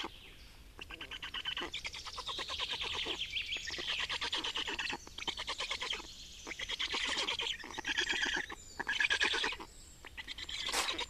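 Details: Black storks at a nest in Estonia on 28 May 2019, during nest change and feeding of young: bursts of rapid harsh, raspy, chattering calls with short pauses, loud and repeated over eleven seconds.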